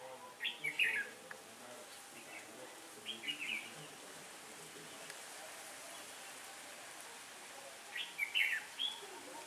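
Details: Decoy red-whiskered bulbul singing during trapping on a windy autumn day, 15 October 2017: three separated bursts of bright, warbled whistles a few seconds apart, steady low background hiss between them.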